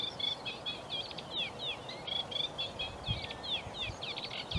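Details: A sedge warbler, heard but unseen at Broom Lakes near Biggleswade, Bedfordshire, on 26 April 2021, sings a fast, chattering medley of harsh churrs, rattles and sweet whistled notes, continuous and varied, over low wind rumble with a couple of bumps.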